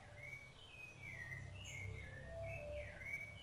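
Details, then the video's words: While feeding its chicks, a rufous-bellied thrush sings soft, slurred whistled notes strung into a rambling phrase, faint over steady low-pitched background rumble. "SABIÁ LARANJEIRA CANTO"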